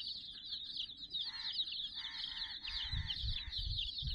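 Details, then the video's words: About sixty domestic chicken chicks playing around a toy puppy teddy give a dense, continuous chorus of high, rapid peeps, with a man's voice talking in bursts underneath and some low thumps. "silly chicks chirping"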